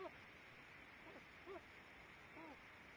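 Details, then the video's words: Two loons in view give soft, short hoots, four brief low notes bending down, about half a second to a second apart, over a steady hiss of water or wind; recorded 06.01 at 08:30. "Loons Two in View Hoots"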